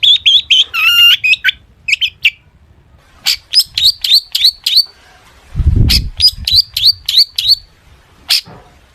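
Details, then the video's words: Long-tailed shrike singing 'gacor full isian' style, played to coax other shrikes into song: quick high chips and a nasal rattle, a pause, then fast series of sharp piping notes with a low thump midway. "cendet gacor FULL ISIAN buat pancingan cendet agar bunyi"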